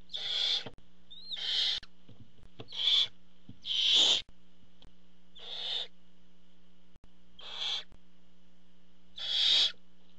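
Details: Barn owls at a nest camera as the father arrives with food: seven harsh, breathy hissing screeches, each about half a second long, coming roughly every second and a half over a steady low electrical hum.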